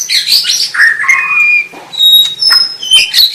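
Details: White-rumped shama song: loud, varied phrases of clear whistles, some steady and high, others sliding, mixed with harsh buzzy chatter and short chips.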